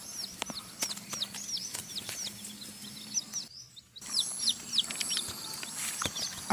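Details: Sumatran red junglefowl chick, nine days old, foraging freely in grassy ground; rapid thin hooked peeps repeat steadily, briefly broken by a short gap near the middle, with scattered clicks and soft background noise.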